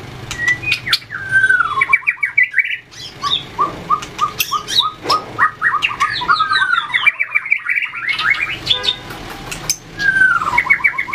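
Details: White-rumped shama trained for fighting song, flicking its tail and hopping between perches, sings long varied phrases of repeated clear whistles and fast chattering runs, with frequent clicks and wing-like flutters.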